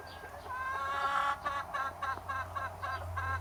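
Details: Chickens and roosters enjoying summer time: a hen gives a rising, drawn-out harmonic cackle, then a steady series of short clucks about four a second, over a low background hum.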